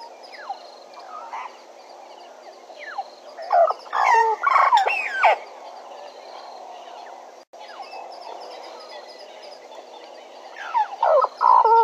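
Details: A Bennett's woodpecker at Djuma, captured by a live camera, calls in two short bursts of harsh, nasal sweeping notes, one near the middle and one at the end, with long stretches of quiet hiss between.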